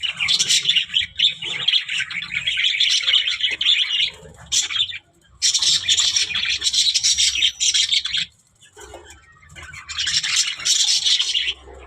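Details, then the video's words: Budgerigars chattering and talking, with dense, scratchy warbling bursts interrupted by short pauses; the loud, busy chatter comes in three main stretches. "budgies parrot talking | chidiya ki awaz"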